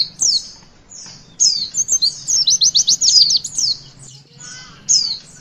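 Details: Javan white-eye witwit song for young birds: a high whistle, then a rapid rhythmic burst of about eight bright chirps, followed by scattered high slurred notes.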